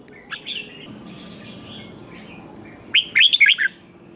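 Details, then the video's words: Wild-caught red-whiskered bulbul in competitive singing: a faint warble early on, then a quick burst of five or six sharp, bright, bouncing notes near the end over a low hiss. "Kích Chào Mào Hót Ché/ Kích Chào Mào Bổi Hót Đấu Mới Nhất"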